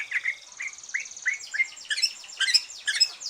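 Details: Green leafbird, a bird that has just finished moulting, singing a relaxed song used to stimulate other birds: short rising chirps near the middle range repeated about twice a second, then a denser run of high, fast notes and trills.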